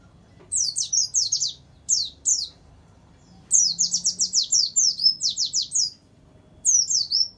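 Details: High rapid downslurred whistles from a warbling white-eye, a tutoring track with inserted canary phrases for kept birds; short clusters, a pause near three seconds, then a long fast run of sweeping notes and a closing burst.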